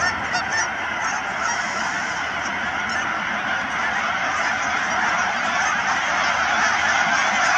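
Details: A huge flock of Canada geese, numbering in the thousands, at Cheam Wetlands near Chilliwack, BC. Countless honks blur together into a steady roaring din that swells slightly toward the end.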